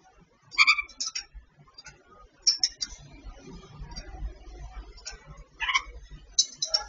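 A babbler gives harsh, nasal, rasping notes in short bursts of two or three, with pauses of a second or more, over faint background rustle.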